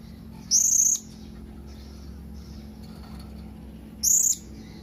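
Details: Blue-crowned hanging parrot calling to companions with two separate piercing, very high-pitched drawn-out squeaks about three and a half seconds apart, quiet low hum between them.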